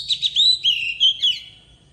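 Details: Short forest-style phrase from an Oriental magpie-robin used as a lure to teach young birds: a few sharp notes lead into clear ringing whistles that slur down and fade out.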